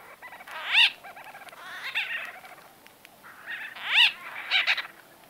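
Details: Close conversational calls of white-fronted bee-eaters: two prominent arched, nasal calls about three seconds apart, surrounded by softer purring and chattering notes from other birds.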